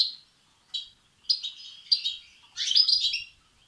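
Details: European goldfinch chicks calling for food, a sound meant to excite males: thin single chirps at first, building to a dense, loud, buzzy burst of overlapping high notes near the end, background otherwise quiet.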